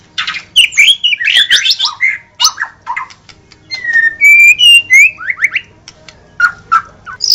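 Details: White-rumped shama song opening with loud harsh, jumbled notes, followed by clean rising and level whistles and short sharp chips, ending with a few soft repeated whistles.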